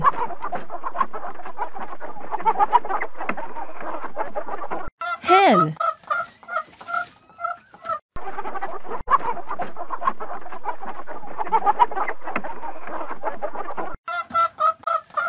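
A flock of hens clucks in a busy, overlapping chatter of short notes, broken twice by a spoken voice naming the bird.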